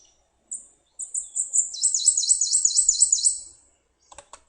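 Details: A Prothonotary Warbler, a bird of riverside (riparian) habitat heard around the James River near Richmond, sings a fast, evenly paced run of about ten bright, high, ringing 'sweet' notes, followed by a few soft clicks.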